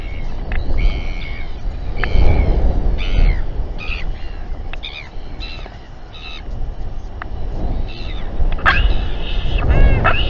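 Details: Royal albatrosses at a nest site in New Zealand at 7:42 pm on 27 January 2021, calling during a tense group gathering and fight. Harsh, banded squawks and honking notes come in irregular bursts over constant heavy wind rumble.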